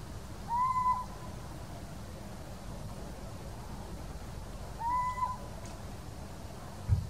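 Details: Little owl (Athene noctua), call.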